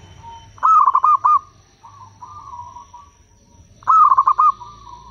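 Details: Local zebra doves answering each other, used as a lure for wild doves. Two loud, stuttering, pulsed coo phrases sit around a softer rolling coo from another bird, with a low rumble beneath.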